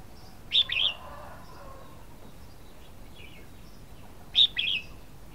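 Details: Two short, sharp warbled phrases from a red-whiskered bulbul, each a fast cluster of high notes, separated by nearly four seconds of quiet background hiss.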